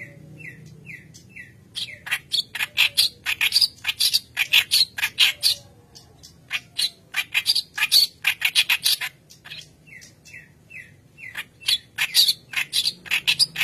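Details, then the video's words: White-browed kerak basi singing hard as training bait for young birds, with long runs of loud grating chatter and squeaky notes, bracketed by short sets of repeated falling whistles at the start and end. "Keras Basi Alis Putih Gacor Pancingan Bahan"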